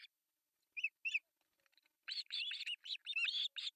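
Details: Osprey chicks, three in a nest in Pohjois Satakunta, Finland, begging at breakfast feeding on July 1, 2024, nest cam: two lone high chirps, a near-silent gap, then a continuous burst of rapid, grating squeals.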